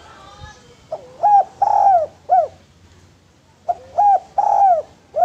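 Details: Lure song from an actively singing spotted dove for training other doves: two phrases of upswept hooked coos, a drawn-out descending coo and a curved closing note.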